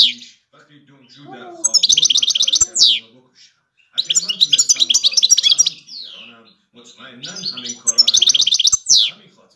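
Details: Song of a big five-year-old European goldfinch: three phrases of rapid, liquid high twitters, each ending in a down-slurred note, separated by short quiet gaps with soft low background noise.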